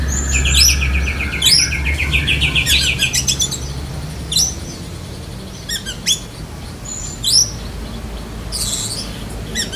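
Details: Magpie-robin of the black-breasted form copying lovebird: an opening fast rattling trill, then scattered sharp rising whistles and squeaky notes every second or so, with a faint low hum throughout.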